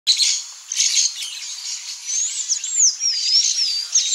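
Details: Blaze-winged parakeet, also called tiriba-fogo: harsh, high squawks and screeches in quick succession, followed by several thin whistled notes that slide up and down.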